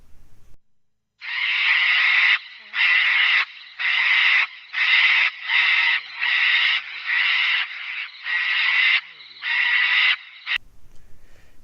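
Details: A sulphur-crested cockatoo of the Brisbane area, a parrot that travels in large groups and has a very noisy call, gives about nine harsh, raucous screeches, each roughly half a second long, repeated about once a second.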